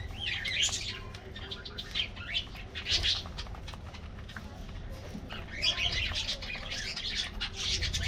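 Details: Budgies in an aviary colony taking a morning treat: bursts of busy, warbling chirps in two main spells, separated by quieter chirping, over low background hum.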